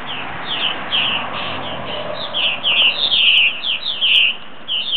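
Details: Purple martins, roughly ten back from last year, coming in for the night with a busy chatter of throaty descending chirps, dense and overlapping, over a low rumbling background.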